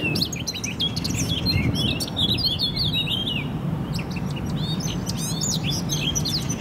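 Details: Eurasian blackcaps singing in spring 2018 in Poznań, a rapid run of bright, varied chirps and fluty phrases without pause, over a steady low rumble of wind or distant traffic.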